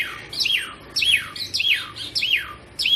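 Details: Energetic singing from a black-and-white Asian pied starling: one whistled phrase that swoops down then loops up, repeated five times about every half second, each with a soft lead-in note.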